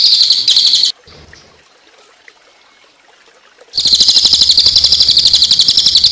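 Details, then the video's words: Cililin singing a tembakan song for training other songbirds, set against water sounds: a short fast high trill, a quiet pause with faint trickling, then a long, steady, rapid pulsing trill at high pitch. "Tembakan Cililin Untuk Masteran Burung Kicau"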